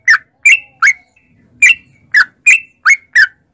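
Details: Sooty-headed bulbul, played as a lure for caged bulbuls: three clear chirps, a short pause, then five more liquid, downslurred notes spaced unevenly in a clean, quiet setting.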